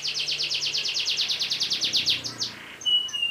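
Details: Canary singing a lengthy roll for training other birds: quick repeated buzzy notes in an unbroken trill for over two seconds, a short gap, then a clear level whistle, with faint low hum beneath.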